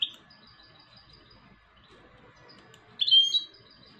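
A goldfinch hybrid sings in brief bright bursts: a sharp twittering note at the start and a louder liquid trill near the end, with faint high tones between.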